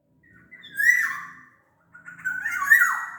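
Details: Kepodang from Sumbawa used to prompt other orioles to sing: two rich whistled phrases with harsh buzzy overtones, the second longer and descending, over faint low background noise.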